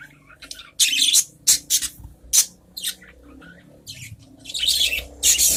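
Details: Several adult budgerigars in a cage answering one another with loud, harsh, high-pitched squawks and chirps, grouped in bursts that run together into a longer noisy stretch near the end.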